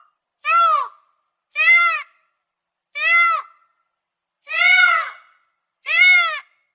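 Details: Peafowl calling, a sound typical of courtship: five loud, piercing, nasal wails, each rising then falling, spaced about one to one and a half seconds apart in near silence.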